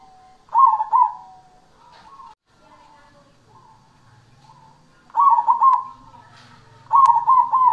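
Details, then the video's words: Zebra dove of the cemani variety singing: three rich, rolling coo phrases, the last two close together, with soft murmured coos between and a faint low hum. "perkutut cemani super gacor"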